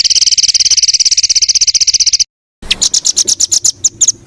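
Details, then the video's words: Masteran training song with full fill phrases for songbirds: a fast, even buzzy trill for two seconds, a brief silence, then rougher high chips in an uneven series. "BURUNG FULL ISIAN TEMBAKAN"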